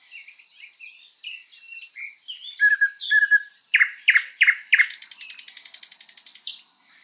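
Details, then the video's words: Thrush nightingale singing in a spring forest: varied whistled and chirping notes, then loud rich strophes and a fast rattling series of clicking notes repeated about four times per second. "Nightingale bird singing"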